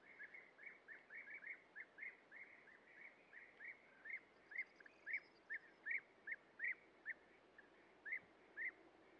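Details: Series of European bee-eater calls from a breeding colony where adults feed young at nest burrows and a young bird leaves and re-enters its burrow; short burry trilled notes repeated about twice a second, growing louder, over faint outdoor hiss.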